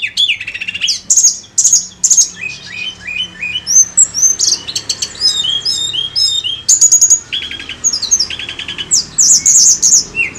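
A Sunda Blue Robin sings a lively, almost unbroken run of high whistles, sharp chirps and quick buzzy trills, shifting phrases every second or so.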